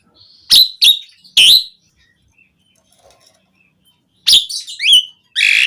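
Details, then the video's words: Asian pied starling singing vigorously, played as a lure to prompt captive starlings to answer: three loud harsh squawking notes, a silent gap, then a grating burst, whistled upward slurs and a raspy note. "Suara Jalak Suren Gacor Auto Nyaut Langsung Efektif buat Pancingan Burung Jalak"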